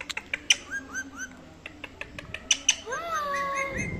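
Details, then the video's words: Pet parrot vocalizing: sharp clicks and short rising whistles, then a long, smoothly sliding whistle that climbs and levels off, with faint background music. "Cute parrot talking"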